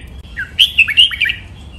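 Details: Captive red-whiskered bulbul singing in the doubled style, used as a model for birds to copy: one short phrase of about six slurred, whistled notes dipping and rising, over faint steady hiss.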